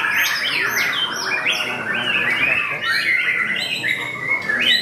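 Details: White-rumped shama competing in a singing contest, delivering a fierce, continuous stream of loud whistles, down-slurs and high upward flourishes, amid other birdsong and background talk.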